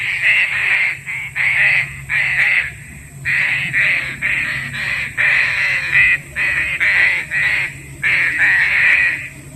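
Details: Green pigeon calling, used to lure birds for trapping. Loud, grating notes come in tight bursts of two to four, with the bursts repeated about every second, over a faint constant hum.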